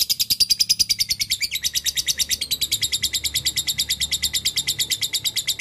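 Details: Lovebird in long ngekek chatter, a lure meant to draw out a rival: a steady, very fast, shrill rattle of high notes running unbroken for several seconds, with a faint low hum beneath.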